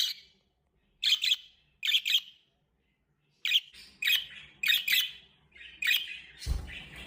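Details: A hand-tame pet budgerigar gives bright, scratchy chirps in quick paired bursts, with a brief thump near the end.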